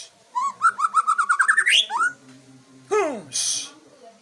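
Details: Aceh white-rumped shama showing off: a fast run of about a dozen clear whistled notes climbing steadily in pitch, then a few lower, harsher downward-sweeping notes after a short pause.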